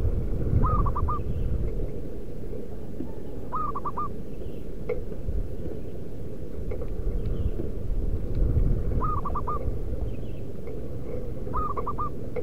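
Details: Local zebra dove from the wild repeating its lure call: four short phrases of three or four quick hooting coos, roughly every three seconds, under a heavy wind-like rumble with occasional clicks.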